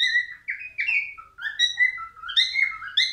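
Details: Whistled song of a male albino cockatiel: loud, clear notes that jump up and down in pitch, some sliding upward, others falling, linked in a lively, uneven phrase with rich harmonics and a quiet background.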